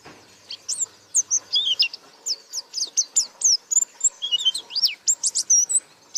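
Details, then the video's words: Actively singing white-eye, beak open, delivering a continuous run of high, thin, squeaky chirps and short slurred whistles, varied in pitch and tightly spaced. "Burung Pleci Gacor Buka Paruh"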